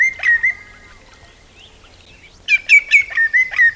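Common Greenshank giving clear, fluty whistles: a drawn-out note, then a rapid burst of short ringing 'tew' notes in quick succession.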